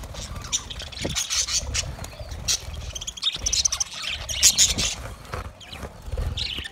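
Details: Budgies chattering in a steady stream of rapid, buzzy, high warbles and chirps, several birds overlapping, over a low murmur that rises and falls.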